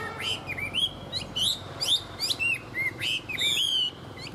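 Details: A tame hwamei kept in a cage sings fluently, giving clear upslurred whistles and quick chirps in short phrases, with a couple of grating, rattling bursts and low steady hum beneath.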